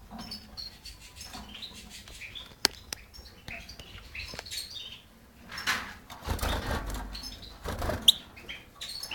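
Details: European goldfinch recorded on 5 June 2011: scattered high, tinkling twitters and short chirps in irregular bursts, broken by loud broadband rustles like wing flaps and a couple of sharp clicks over a steady low hum.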